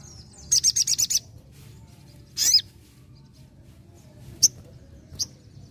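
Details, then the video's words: Sogon singing vigorously, nembak ngalas: a short rapid burst of about six high shrill notes, a harsh descending call, then two isolated sharp chirps. "SOGON GACOR NEMBAK NGALAS"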